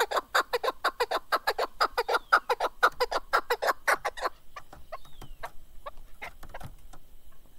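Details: Chukar partridge, or kaklik, giving a fast train of loud clucking chuk notes, about three per second for four seconds, then scattered quieter calls and a faint whistle.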